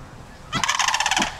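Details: Sandhill cranes warning a dog across the street to stay away, standing their ground when threatened: a loud, rolling, rattling call lasting under a second. It is strongly pulsed, with low traffic-like rumble in the background.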